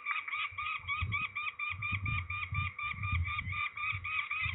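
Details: Rasping, nasal calls from peregrine falcons being ringed at Trzebież, Poland, on 13 May 2019, delivered in a fast steady series of short notes, with dull thumps and rustling underneath.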